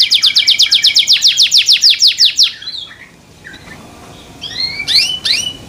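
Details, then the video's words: Canary song said to start other canaries singing: a rapid series of loud descending whistled notes, then a pause and a few scattered rising chirps. "THE SOUND OF CANARIES CAN MAKE OTHER CANARIES JOIN TO SING"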